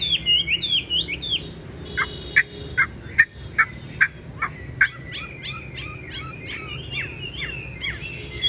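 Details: Caged, tame Chinese hwamei with yellow legs and yellow bill, prized for a strong voice, opens with warbled whistles, then delivers sharp clipped notes about every half second, returning to rapid rising whistles over a low hum.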